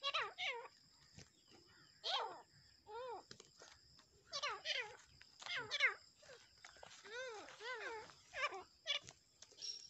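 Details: Black francolins, called dakhani teetar, fighting; harsh, strained calls with arched, wavering notes come in rapid clusters, with short gaps of near silence between bursts.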